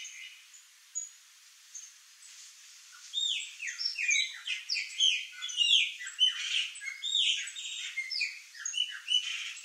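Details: Yard flock of Chopi blackbirds feeding on fruit. Quiet at first with a few thin notes, then a lively burst of many overlapping whistles and chattering calls builds and continues to the end.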